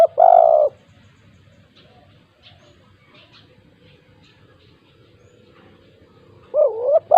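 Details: One long, rich coo from a 'kuk 2' style spotted dove used to stir lazy doves into calling, followed by a long pause with faint background noise, then the start of a fresh phrase of short coos.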